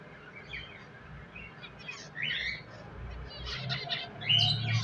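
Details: Several pet finches chirping: quick high tweets and a short twittering run, growing busier toward the end, with faint low rumbling beneath.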